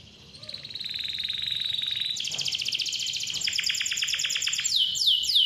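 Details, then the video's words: Canary in loud, clear song used as a lure to get young or quiet canaries singing; rapid buzzy trilled rolls at high pitch, switching to a faster, brighter trill midway, then sweeping downslurred notes at the end. "KICAU KENARI GACOR SUARA JERNIH COCOK BUAT PANCINGAN || PANCINGAN KENARI"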